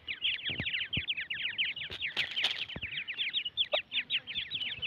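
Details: Young francolin chicks in a group calling nonstop: quick, sharp, high cheeping notes tumbling over one another, with a few louder clicks and knocks in the background.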